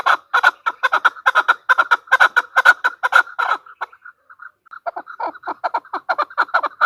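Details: A female chukar partridge delivers loud, rapid chucking notes, pauses briefly with a few soft clucks, then resumes with another rapid run.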